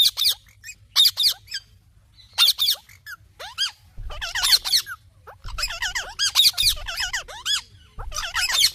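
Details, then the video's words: Talking pet parrot, apparently a ringneck, producing dense runs of squeaky, chattering chirps and looping warbled notes, nearly continuous with only short gaps, over a low background rumble. "Parrot Talking Chirping Sounds"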